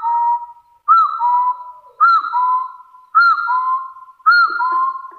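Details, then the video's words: Hill partridge from the wild, calling to challenge rivals. A clear whistled phrase, a brief upslurred-then-falling note sliding into a long even tone, repeats five times at roughly one-second intervals against a silent background. "Tiếng gà so rừng chọi cực chuẩn"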